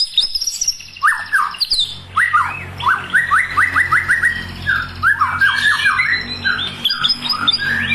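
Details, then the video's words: Magpie-robin song used as a lure to get a captive bird singing: rapid runs of sharp, downslurred whistled notes and bright chirps, with a steady low hum of background noise underneath. "Suara Burung Murai Gacor Pancingan"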